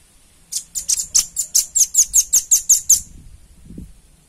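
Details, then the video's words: Velvet-fronted nuthatch, clean recording used to train other birds: a fast series of about twelve high, piercing chips over two and a half seconds, followed by a soft low thump. "SUARA PANCINGAN & MASTERAN RAMBATAN PARUH MERAH JERNIH"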